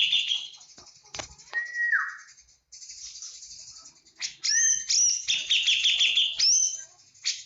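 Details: Full 'tembakan' singing by a Javan cucak jenggot: a high chattering phrase, a clear falling whistle, a short pause, then loud rapid trills with ringing rising whistles.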